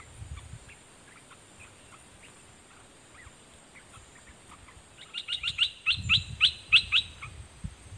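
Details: Red-whiskered bulbul decoy bird calling at wild birds: faint distant chirps at first, then a loud series of about eight sharp, clipped whistled notes in quick succession, with low rumbling background noise.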